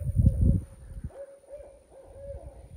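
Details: A Barred Owl heard through the woods near a pond gives a quick run of mellow, rhythmic, slurred hoots from a distance, after low thumping and handling noise; it is calling a lot, probably trying to find the other owl.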